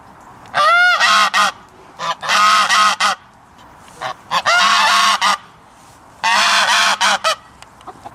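A goose gives loud, harsh, nasal honks in bursts of one to several, with short pauses between volleys.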